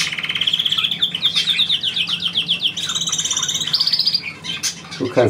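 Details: Pet bird performing a trill on command: a continuous run of fast, sweeping trilled notes, then a higher steady trill and a short sharp call, with the owner's voice at the very end.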